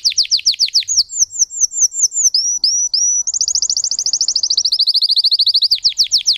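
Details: Russian canary, a breed kept for singing, delivering high-pitched song: fast rapid downslurred notes, then a slower series of upswept whistles, followed by a long, even buzzy trill that returns to quick downslurs.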